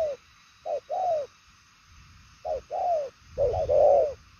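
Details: Spotted dove of the purple-legged 'đồng son chân tím' type cooing ('gù') in a fast, far-carrying 'bài lối' style: a short clipped note, then a longer falling coo, repeated in pairs, with a last run of three notes.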